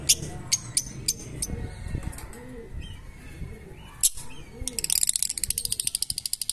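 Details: Fischer's lovebirds kept as pets chirping: scattered sharp high chirps early on, then a fast run of rapid, evenly spaced chattering notes over the last two seconds, with a low pulsing hum underneath throughout.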